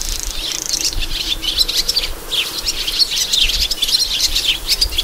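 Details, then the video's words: Sand martins singing: a continuous dry, scratchy twittering of rapid buzzy chirps, several birds overlapping throughout. "Hirondelle de rivage (chant)"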